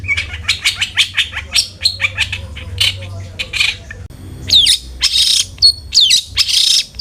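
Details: Long-tailed shrike song used as a singing lure: fast run of short harsh chips, a brief pause, then louder raspy bursts and sharp downslurred whistles, with low hum beneath.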